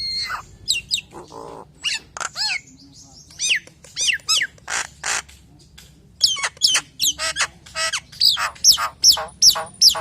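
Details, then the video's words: Common hill myna singing a varied lure song for other hill mynas: sharp clicks, a harsh rasp, arching whistles and fast chattering notes, ending in a brisk series of high falling whistles. "JALAK NIAS SUARA FULL ISIAN NEMBAK NEMBAK||PALING JOS BUAT PANCINGAN JALAK NIAS YANG LAIN!!"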